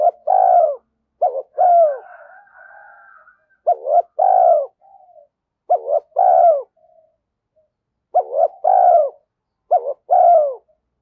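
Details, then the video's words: Steady cooing from a decoy spotted dove: a quick short note, then a rounded, falling coo, repeated roughly every two seconds with soft trailing murmurs. "Chim Cu Mồi _ cu gay kich boi nhanh noi gù"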